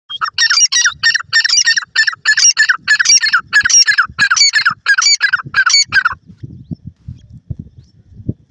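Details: Francolin chicks, described as golden francolin and grey Irani teetar babies, giving about a dozen harsh, squawking, rasping notes in quick succession over six seconds, then quiet with faint rustling and tapping.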